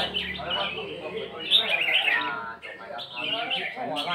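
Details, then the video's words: Red-whiskered bulbul in the style known as counting phrases, with bright whistled, warbling notes repeated in quick bursts, mixed with background music and lower voices. "เสียงนกกรงหัวจุก นกกรงหัวจุกนับดอก"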